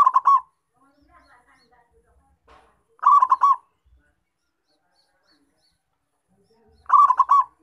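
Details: Lively local perkutut, or zebra dove, recorded for luring wild doves: three brisk bursts of fast, stuttering coo notes, spaced about three to four seconds apart, with faint quiet sounds in the gaps.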